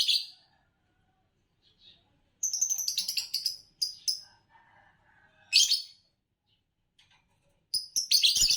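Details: Bursts of fast, scratchy chattering and shrill chirps from a green Fischer's lovebird, a song-competition champion, broken by short pauses and a few softer twittered notes.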